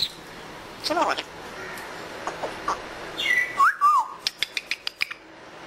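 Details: Pet African grey parrot enjoying the weather, giving brief speech-like notes, a zigzag whistled phrase, then a quick series of about eight sharp clicks like a mimicked knock.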